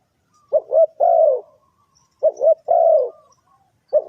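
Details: Spotted dove call for luring birds into traps: two paired-note phrases, quick double coo then a prolonged falling coo, spaced about two seconds apart, with the start of a third.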